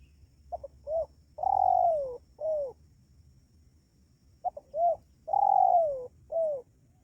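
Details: Spotted dove lure call used to attract wild doves: two identical low cooing phrases, each two short quick notes, a long loud descending coo, then a shorter falling coo, repeated about four seconds apart.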